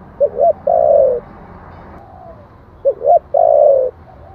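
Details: 'Giọng thổ' style coo of a spotted dove meant to lure wild birds to answer. Twice it gives a pair of quick short coos, then a sustained low note lasting about half a second.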